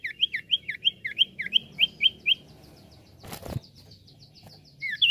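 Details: Common iora song used as a lure: a run of about ten rising-falling whistled notes in quick succession, a brief broadband crackle midway, then a few more loud notes at the end.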